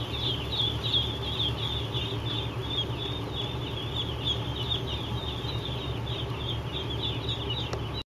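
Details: Many three-day-old farm ducklings in Eastport, New York, peep nonstop in high, slightly downslurred chirps, a busy overlapping chorus over a persistent low-pitched machine hum.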